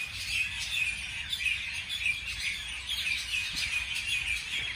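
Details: Birds chirping on a beautiful morning, a busy layer of high, quick tweets and short whistled notes from several birds at once, continuous and without pause.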